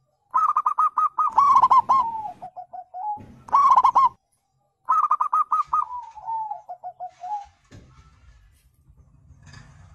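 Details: Wild zebra dove, played to coax birds into answering: three bursts of rapid staccato coos, each trailing off into softer, lower, falling notes, followed by a faint low rumbling noise.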